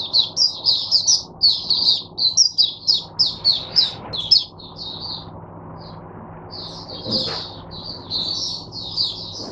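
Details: Teacher-bird oriental white-eye, caged, recorded 22 January 2022: quick series of high chirpy warbled notes, then a quieter gap with scattered notes and a short click, ending in renewed twitters.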